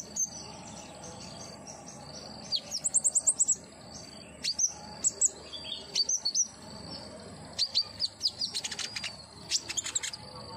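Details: Captive common iora used to prompt singing: scattered high whistles, then rapid trilled runs of short sharp chirps in clusters, with hooked rising notes between quieter gaps and a steady background hiss.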